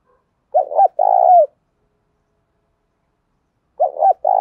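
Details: Spotted dove giving a thổ đồng-style coo, used to provoke rival males: two phrases about three seconds apart, each a quick stuttered double note followed by a longer hoarse, slightly falling coo. Quiet background.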